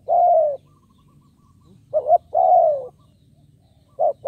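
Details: Spotted dove calling as a lure for wild birds: a long descending coo, then a short rising note pair and another long coo, then the phrase starting again.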